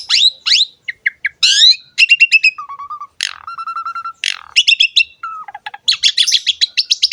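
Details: Loud, varied singing by an Asian pied starling, mixing sharp sweeps, flat whistled tones, buzzy notes and quick repeated chatter in rapid succession, with short silent gaps between phrases.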